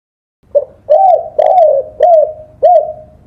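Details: Spotted dove, tekukur, singing for a songbird-training recording: one phrase of five low coos, short first note then four slurred, rising-falling notes repeated roughly every half second.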